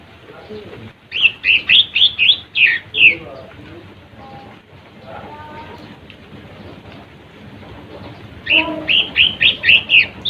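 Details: Lesser green leafbird song used to provoke rival birds: two bursts of rapid, high, slurred chirps, about eight notes each, separated by several seconds of low murmuring background noise.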